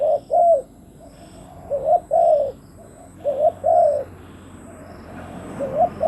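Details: Decoy spotted dove calling to attract wild doves: soft hollow double coos, a brief lead note followed by a drawn-out falling coo, phrases about every two seconds.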